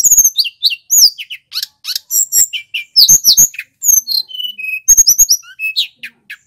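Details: Loud, clear song of a male little pied flycatcher from Banyuwangi, Indonesia, recorded as master and lure material. High, fast phrases of sweeping chirps, buzzy notes and thin whistles run almost without pause.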